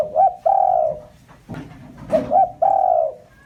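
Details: Two repeated phrases from a spotted dove lure call, each a quick double coo followed by a longer mellow coo, with a soft thump between them.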